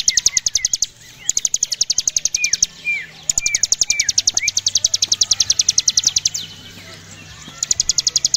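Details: Javan prinia giving an extended 'ngebren' song: several bursts of fast, evenly spaced sharp pulses, broken by short gaps. Lower, slurred whistled notes are woven through the bursts.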